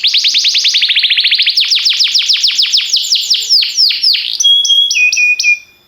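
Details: Singing canary, timbrado type, used as training song: fast repeated falling chips forming a rolling trill, slowing into separate downward sweeps, ending with clear steady whistled notes.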